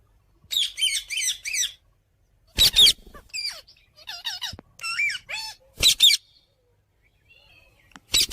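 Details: Indian ringneck parakeet talking among playing companions: a run of rapid chattering notes, harsh screeches, and several smooth, word-like tonal phrases that rise and fall, with short pauses between.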